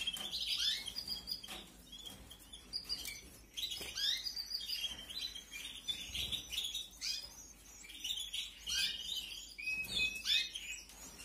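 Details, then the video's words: Young canaries being fed in a 2021 aviary brood give a steady stream of shrill, overlapping cheeps and squeaky rising notes, roughly three per second, in an irregular chorus with little background noise. "QUE BONITA ES LA CRIA, CEBANDO 🐣🐣🐣. CRIA DE CANARIOS 2021."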